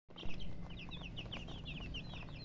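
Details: Baby chickens chirping: a run of short, high, slurred peeps repeated rapidly, several per second, over a steady low hum.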